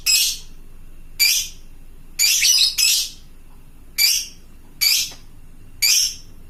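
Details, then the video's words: Fighter lovebird ngekek call used to lure and answer other lovebirds: loud rasping high shrieks repeated about once a second, one doubled, against a faint steady background. "suara burung lovebird fighter gacor ngekek panjang memanggik teman"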